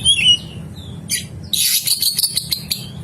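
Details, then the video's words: Oriental magpie-robin (kacer) singing a rough fill-in (isian kasar) song used to train birds: clear high whistles, then a dense run of harsh, buzzy, rattling notes in quick bursts, with a low steady hum underneath. "SUARA BURUNG KACER ISIAN KASAR | TERAPI KACER AGAR GACOR"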